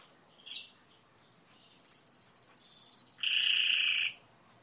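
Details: Timbrado canary song: a brief soft note, then a very high whistle. A fast pulsed trill high up follows, then a lower, continuous, dense rolling buzz that ends cleanly.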